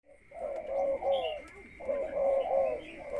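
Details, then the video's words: Caged spotted dove used as a ground decoy, conditioned before going into a breeding cage: two low, rolling cooing phrases with a pause between, over a steady high whine and faint chirps. "บำรุง + พาต่อ ก่อนเข้ากรงผสม นกเขาใหญ่ต่อดิน"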